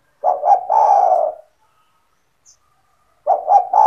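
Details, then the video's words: Spotted dove kept as a pet singing steadily, used to draw other doves into calling: a soft, throaty coo phrase of two short notes and a longer sliding note, then a pause before the next phrase begins. "SEMUA TEKUKUR / DERKUKU AKAN TERPIKAT DENGAN SUARA TEKUKUR GACOR INI"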